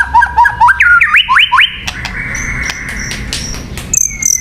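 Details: White-rumped shama song meant to lure birds: a quick series of short, rising whistled notes repeated about twice a second, then a long, quieter held whistle with high, thin notes.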